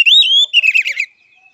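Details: Kacer, the oriental magpie-robin, in fighting song: a sustained high whistle running into a harsh, scratchy chatter that fades out.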